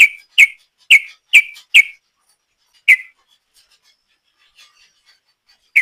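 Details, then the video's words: Lure recording of a sooty-headed bulbul singing the ropel style: a quick run of five sharp whistled notes, a pause, one more note, then near silence before a final whistle. "Trucuk Gacor ropel panjang,suara ropel trucuk ini paling di cari ropel mania"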